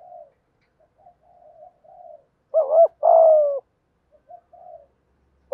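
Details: Spotted dove thúc gù coo, giọng thổ style, meant to arouse wild doves. Faint broken murmurs lead to one loud phrase: a wavering double note and a long falling coo, followed by more soft notes.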